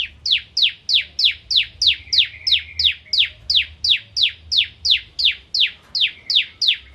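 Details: Bar-winged prinia (ciblek kristal) in full energetic song, used to train white-rumped shamas: a steady, unbroken series of about twenty shrill, downslurred chirps, evenly spaced roughly three per second.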